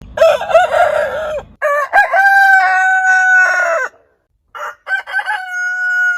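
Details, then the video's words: Rooster crowing, from a compilation of crowing roosters of heritage breeds: loud harmonic crows with wavering starts and long level endings, abruptly spliced one after another, a short silent gap near four seconds. "Chicken Crowing Ayam Berkokok Con Gà Gáy"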